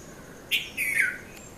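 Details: Red-vented bulbul, known locally as Konda Kurulla, calling in the morning between 5:30 and 5:40 a.m. at Mount Lavinia, Sri Lanka: a short bright note, then a longer slurred phrase falling in pitch, over quiet background.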